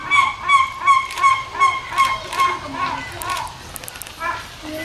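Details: Captive Steller's sea eagle at Zoorasia zoo, 21 July 2012: a run of about eight evenly spaced, yelping notes in three seconds, then quieter calls mixed with people talking nearby.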